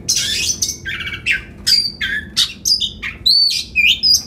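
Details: Oriental magpie-robin sings loud, varied phrases to stir other magpie-robins into singing with their tails spread. The song mixes harsh, scratchy notes, rattling trills and clear, sliding high whistles in quick alternation.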